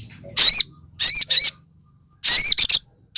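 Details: Sogon, the crested jay, giving loud fighter calls used to rile other birds of its kind: three bouts of coarse, grating squawks, one single, one double, then a stuttering triple, separated by short silences.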